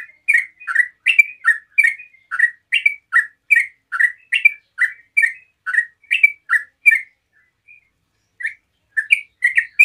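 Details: Yellow-vented bulbul in relaxed rapid 'ropel' song, meant to prompt other bulbuls to answer: quick run of short chirped, slurred notes, two to three per second, breaking off near the seventh second, then resuming after a brief silence.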